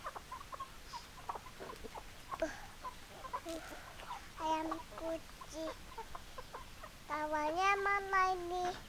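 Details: Chickens heard as hens and roosters: soft, quick clucks repeated through the first half, a few louder nasal calls midway, then a long, drawn-out harmonic squawk near the end.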